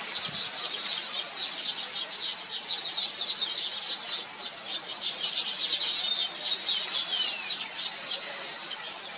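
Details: Thookkanam Kuruvi, the Baya weaver, heard as a group: continuous shrill chatter and squeaky notes, thickening in the middle and later seconds, recorded with a Nikon P1000 camera.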